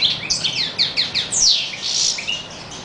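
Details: European goldfinch singing: a quick run of bright, high twittering notes with short downslurred chips and buzzy trills, steady and lively throughout, with a faint low hum in the background.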